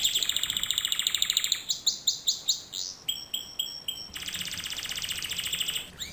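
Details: Canary singing in a lesson recording for young canaries: a rapid rolling trill, then slower repeated swooping notes about three per second, thin piping notes, and a closing fast high roll.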